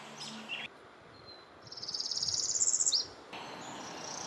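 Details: Northern Parula, an abundant May migrant at Mount Auburn Cemetery, Cambridge, Massachusetts, sings its typical song: a fast, buzzy, high glissando climbing for over a second to a sharp staccato finish, over faint background hiss.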